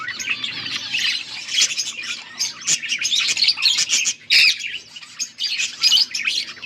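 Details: Several budgies chatter on August 14, 2024, in a dense, continuous high warble mixed with sharp clicks and squeaky chirps. The loudness rises and falls throughout.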